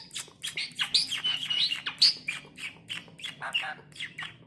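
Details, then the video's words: Tame, talkative Asian pied starling that can speak, kept indoors, giving a harsh, rapid run of scratchy chattering bursts with a few squeaky notes, in a small room. "Burung jalak bisa ngomong,jinak dan gacor"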